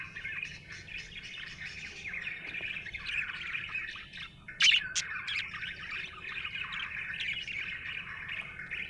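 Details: Contented budgie keeps up a busy, unbroken chattering warble, broken by a loud sharp click-like chirp about halfway through.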